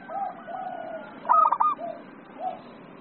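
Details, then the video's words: Zebra dove singing in the excited 'emosi' style: soft low cooing notes around one brief, louder rolling burst of stuttered coos, with a low background hum. "SUARA PERKUTUT EMOSI"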